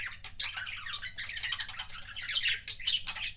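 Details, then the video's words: Short burst of budgie kissing sounds: dense, bright squeaking and chirring chatter with quick smacking notes, close and loud, over a low hum. "BUDGIE KISSING SOUNDS"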